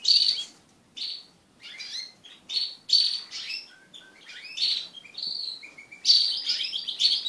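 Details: Caged crested canaries, kept as pet birds, singing in a group during mating: bright chirping phrases with slurred whistles and short trills, broken by brief pauses, several birds overlapping.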